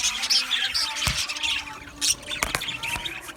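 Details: Brief burst of male budgie aviary chatter from 8 December 2025: overlapping high chirps and warbles with a few sharp clicking squawks standing out.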